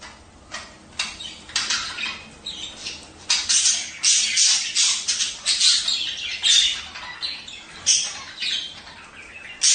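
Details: Budgerigars chattering in a courtship recording played so pairs will breed and lay; rapid, noisy squawks and scratchy chirps repeat in quick bursts throughout, growing busier after three seconds.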